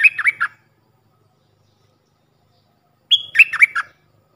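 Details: Puff-throated bulbul decoy voice for training hand-fed youngsters: a brief trio of falling chirps, a silent gap of over two seconds, then a longer phrase opening with a steady whistle and dropping warbles.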